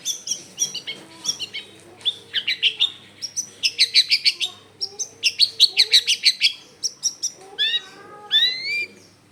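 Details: Lively long-tailed shrike song for luring birds: continuous, varied chattering of quick sharp notes in dense runs, several times per second. It ends with rising, whistled notes over a faint low background hum.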